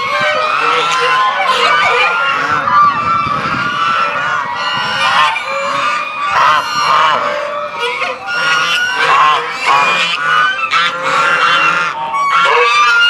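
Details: Large flock of domestic Chinese geese recorded at zero distance, surrounding the recordist in the goose square of Tobu Zoo, Japan, April 2021; dense, overlapping nasal honks and trumpeting calls continuous throughout, many birds at once, with no pauses.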